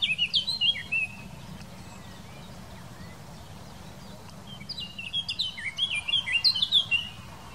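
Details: Song of a Eurasian blackcap, Wittlich valley, 2018: a short warbled opening, then after a pause a loud run of fluty, rapidly changing whistles that climbs in strength toward the end.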